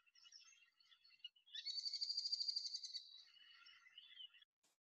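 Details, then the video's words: A merlin gives a fast, high, chattering series of sharp notes, strongest in the middle and tailing into softer, wavering calls. "The merlin sounds like this."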